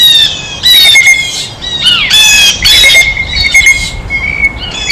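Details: Blue jays visiting and eating at a feeder, giving loud, harsh squawking calls with bright harmonic bands, several overlapping bursts through the clip along with thinner squeals.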